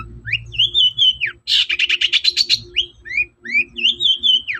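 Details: Long-tailed shrike (cendet) singing in the morning as a lure for other shrikes: long arched whistled notes around a fast rattling buzzy series, then more rising whistles, over a faint low hum.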